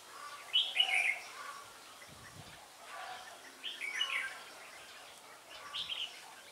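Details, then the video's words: Trapping decoy red-whiskered bulbul at Ba Thá on 17 December 2016, singing brisk warbled phrases in three spaced bursts over faint background hiss and a brief low thump. "Bẫy chào mào Ba Thá mau mỏ đảo giọng"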